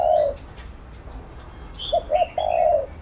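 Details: Spotted dove heard during bird training: a long coo at the start, a quiet pause, then two quick hooked notes and a sustained coo, with high chirps from small birds alongside.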